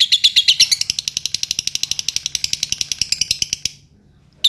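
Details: Lovebird ngetik chatter used to coax long ngekek: quick series of sharp high ticks that fades and stops, followed by near silence and one last chirp.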